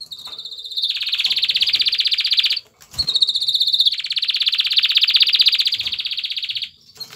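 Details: Male canary dancing around a female to entice her to mate, delivering two long, loud, buzzy trills of rapidly pulsed notes, separated by a brief gap, with a faint thump.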